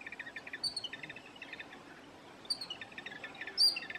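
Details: Jungle babbler giving bursts of rapid, harsh chattering notes in short runs about every half second to second, mid-pitched, with occasional sharp higher chirps over a quiet background.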